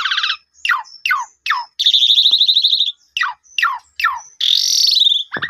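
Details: Asian pied starling prompt song for a newly bought bird that has gone quiet: repeated downward-sweeping harsh notes, about one every half second, broken by a long buzzy rattle and a loud high squeal.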